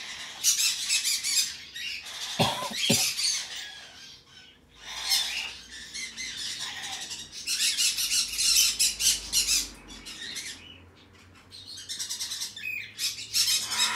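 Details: Hand-tame green-cheeked conure chick (red-cheek pineapple) giving harsh, high, raspy squawks in irregular bursts, about two a second, with a couple of lower tonal notes and quiet room sounds.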